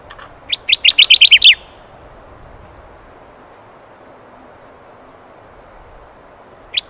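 A Kirtland's warbler sings one loud, fast burst of about eight bright chipping notes lasting a second. A single similar note follows after a long quiet pause.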